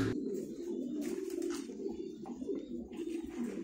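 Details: Breeding domestic pigeons at a Thai-breed pigeon farm, many birds cooing together indoors in a steady, low, throaty murmur of overlapping rolling coos with no pause, in a small, echoing room.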